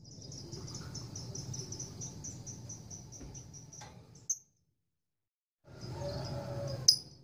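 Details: Female lovebird courting a male, giving a long ngekek chatter: a rapid, high, even series of sharp pulses about four per second for four seconds, then a pause and a few more pulses over a steady low hum.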